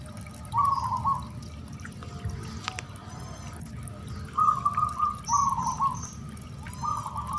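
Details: Singing zebra dove, a bird kept for song, in a recording played to stir caged doves into answering: short purring trilled coos in separate phrases, over a steady hiss like running water, with faint high chirps of small birds.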